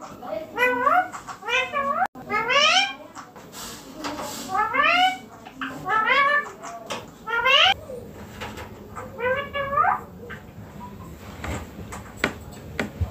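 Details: Pet green Indian ringneck parakeet sitting on a neem tree, letting out strings of harsh, rising, overtone-rich squawks in irregular clusters, then fainter calls toward the end amid soft background noise.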